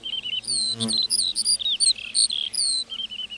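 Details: Meadow-singing lark: short, sharp high whistles and chirps in quick phrases, briefly broken by a soft low thud.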